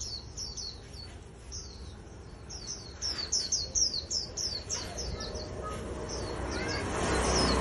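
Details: A wild-caught Japanese white-eye cage bird for trapping contests twitters in rapid high chirps for about five seconds, after which a rising rush of broadband noise takes over.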